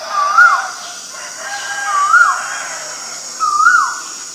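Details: Male Asian koel giving three loud, rising-then-falling whistled notes about every 1.6 seconds, clear against a quiet backdrop with faint high hiss.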